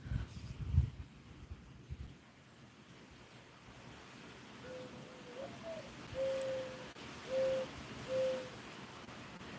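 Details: Backyard doves near a feeder during a solar eclipse give four soft, low, hollow coos about a second apart after quiet rumbling and thumps; their singing is taken as a sign of summer.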